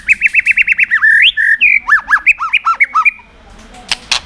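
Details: Energetic white-rumped shama song meant to provoke other birds: a rapid string of repeated whistled notes, a long slur, then bouncing up-and-down whistles, ending in clicks.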